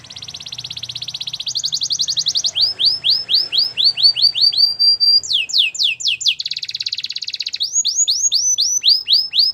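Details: Singing white canary in a training song: dense buzzy trills rising in pitch, then a steady sequence of looping downslurred whistles, another buzz, and more slurred notes.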